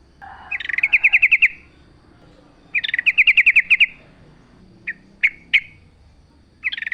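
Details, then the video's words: Yellow-vented bulbul singing in a natural setting: two rattling trills of about eight quick notes each, then a few isolated chirps, over faint background noise. "trucuk gacor full suara alam"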